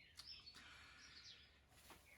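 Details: A Daurian redstart calling persistently outside gives thin, high chirps and short whistled notes, several within two seconds, faint against a quiet indoor background, in Korea.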